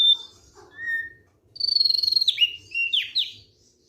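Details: Thick-billed white-eye in relaxed song: a few clear high whistled notes, then a rapid buzzy trill sliding into loud, looping, warbled whistles with sharp downward slurs.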